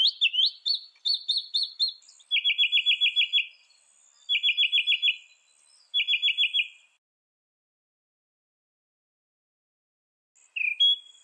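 A Northern Mockingbird sings high, sharp notes: quick chirps, then three rapid rattling bursts of repeated notes, a pause, and one final phrase.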